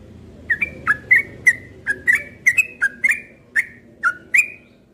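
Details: Cream-vented bulbul kept as a cage bird sings outdoors on a July morning: about a dozen short, bright whistled notes with sharp onsets, some paired, in an unhurried sequence.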